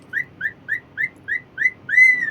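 A cockatiel gives a quick series of bright rising whistles, then one longer arching whistle, as a morning greeting.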